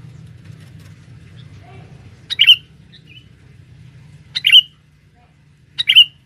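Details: Male sooty-headed bulbul calling inside a forest as a lure for females: three strong, explosive chirps at irregular spacing, with faint soft notes between and a low murmur early on.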